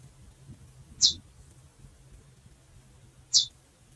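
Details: Female chestnut-bellied seed finch calling: two short, high, thin chirps about two seconds apart over a faint low hum.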